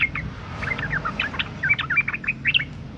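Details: Breeding female sooty-headed bulbul calling to attract males. A dense, continuous run of bright, liquid, whistled notes swooping up and down, with a soft low hum underneath.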